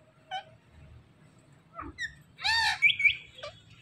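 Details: Flock of Indian ringneck parrots: a few short, harsh chirps and squawks spaced apart, then a louder cluster of ringing, harmonic screeches near the end, over a low background hum.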